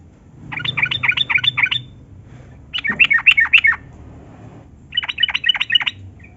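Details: Lure recording of a vigorous yellow-vented bulbul, locally trucukan, singing to prompt idle bulbuls to sing; three bursts of fast, jumbled, bubbling notes, each lasting about a second, with a low hum underneath.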